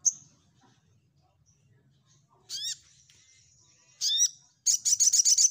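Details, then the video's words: Orange-headed thrush, nyecret nembak style: after a near-silent start, two high notes with steep downward hooks, then a rapid run of about six shrill staccato chips at the end. "SogokOntong Gacor Nyecrett N3mbak l Untuk Melatih Mental Ombyokan"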